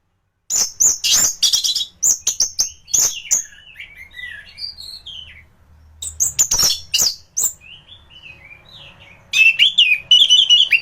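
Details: A thrush (anis) in full song form, used to tutor other songbirds: loud rapid sharp notes alternate with soft, wavering whistled passages that rise and fall, ending in another run of strong chattering phrases.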